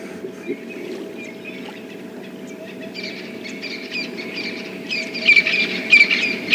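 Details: Francolins calling all around at sunrise on a cold morning give harsh, grating calls in rapid repeated bursts, growing louder toward the end, over the steady low hum of an idling safari vehicle.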